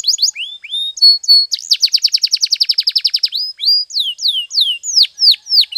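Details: Canary training song, Spanish Timbrado style cited: a few falling whistles, a short steady note, then a fast even trill of sharp high pulses lasting nearly two seconds, followed by spaced descending slurred whistles.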